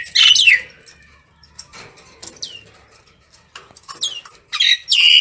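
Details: Common myna calling the flock: loud harsh descending squawks and downslurred whistles in scattered bursts, with sharp clicks and rattling notes between them.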